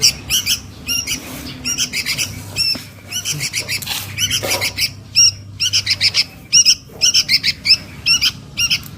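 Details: Young sooty-headed bulbul calling for its mother, a lure recording: long run of scratchy, buzzy bursts in close succession, some paired, with brief pauses and a steady low hum underneath.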